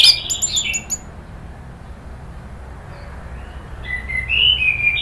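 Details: Orange-headed thrush (anis merah) lure recording meant to provoke agitated nratak chatter, then open ngeplong singing: a quick burst of sharp high chirps, a long quiet pause, then thin whistled notes returning near the end.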